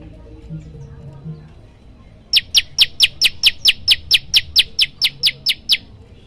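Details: After a quiet start with faint low sounds, a prenjak lumut prinia bursts into its loud 'tembakan' training variation: about sixteen rapid, piercing, high chirps at an even pace.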